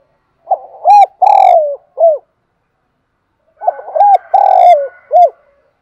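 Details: Spotted dove giving its morning flock-gathering call: two loud, clear cooing phrases, each a short coo, a long falling rolling coo and a closing brief coo, about three seconds apart against silence.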